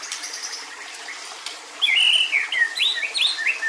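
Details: White-rumped shama in agitated kretekan to provoke other males: after a quiet start, a rapid jumble of buzzy chattering and sharp slurred whistles runs for about two seconds.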